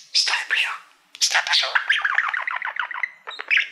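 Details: Indoor pet budgerigar, a mirror-loving male, warbling at a silver plaque; dense run of rapid squeaky chirps and descending chattering notes after a brief opening burst.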